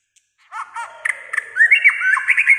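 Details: White-rumped shama in breeding condition, singing almost all day: rough, chattering notes give way to a quick, bright, rising and falling warble of whistled slurs.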